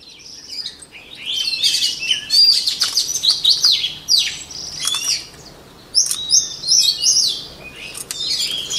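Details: Somewhat distant white-rumped shama training song: varied high whistles and chattering notes in irregular bursts over a steady background hiss.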